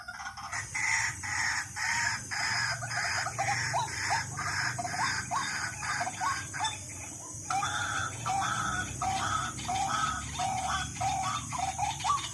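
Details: ['White-breasted waterhen calls played as a decoy lure: a steady run of short, rising croaking notes, about two per second, over a constant hiss and low hum.']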